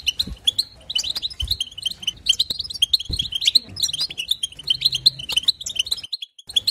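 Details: European goldfinch song for stimulating other goldfinches: fast, jangling twitter of sharp chirps and short trills, nearly nonstop, with a short pause near the end and occasional low thuds.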